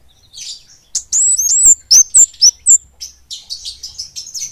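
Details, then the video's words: Singing flowerpecker delivering a fast, dense, clear song: a run of very high, thin, sliding whistles, about four per second, trailing into softer, fizzy high chatter. "Kemade gacor ngeplong speed rapat kemade gunung vs kampung"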